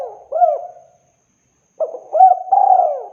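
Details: Spotted dove calling in a clean, clear recording meant for luring birds: a short cooing phrase, a pause of about a second, then a longer three-part coo with hooked notes and a drawn-out final note.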